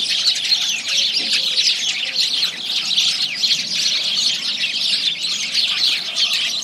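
A dense, continuous chatter of many starlings: overlapping harsh squeaks, clicks and whistled chirps, bright and high-pitched, with no pauses.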